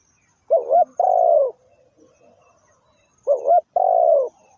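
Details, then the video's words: Spotted dove calling twice, each time a short warbled coo followed by a longer slightly falling coo, with faint low murmurs between the phrases; used as a decoy call for trapping. "The Sound Of Spotted Dove is so good"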